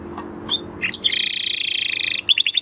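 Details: Male canary in breeding fettle delivering a sustained buzzy rolling trill after a few short chirps, closing with a quick run of rising notes.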